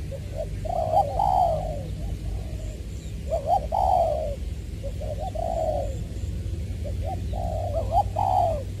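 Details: Decoy spotted dove in Trà Vinh, Vietnam, recorded February 2021, 'giọng tiểu' style. Phrases of soft coos roughly every two to three seconds, each opening with quick short notes and ending in a longer falling coo, over low rumble.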